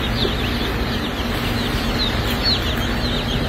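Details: Welsummer baby chicks at a hatchery: many overlapping short, high, downward-sliding peeps repeated rapidly, set against a loud, steady broadband hum.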